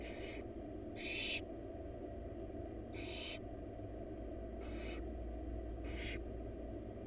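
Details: Begging barn owl chicks in a wild nest box, four young fed a huge bunny by the female; five harsh hissing screeches at uneven gaps over seven seconds, second one strongest, low background drone.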